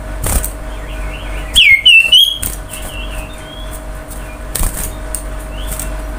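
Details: Common iora song played as a lure so other birds will sing: a single loud, sharply falling whistle followed by a short, wavering whistled phrase, with faint whistles and clicks around it.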